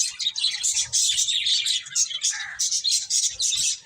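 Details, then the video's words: A group of finches feeding, their high chirps and tweets running together into a lively, almost unbroken twittering chorus with small pulses of louder notes. "Cute Finches Chirping Sounds | Beautiful Birds Eating"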